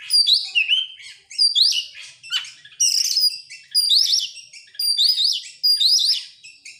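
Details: Oriental magpie-robin song used as a lure to get other birds singing: bright, varied phrases of sharp rising whistles and buzzy notes high in pitch, delivered in bursts about every second with brief gaps.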